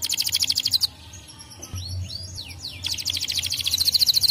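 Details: Canary song intended to make other canaries sing: pulsed trill, a pause filled with slow swooping whistles, then the rapid trill resumes.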